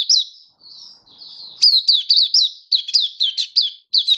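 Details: Oriental white-eye kept as a song bird, in display song: soft high warbling opening, then a fast string of sharp, bright downswept chirps, each note clear and high.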